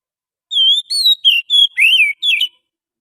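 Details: Oriental magpie-robin of the wild forest, a sound used to lure birds. Six loud clear whistles, some rising and some falling, with a warbled dip in the middle and a jumbled closing note, otherwise quiet.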